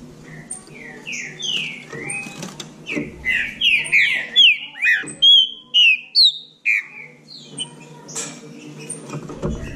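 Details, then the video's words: Bahia trinca-ferro in a singing dispute: a long series of loud, sweeping whistled notes, many short descending slurs in quick succession, building to a bright burst in the middle, then fading to quiet background. "Trinca ferro da Bahia disputando"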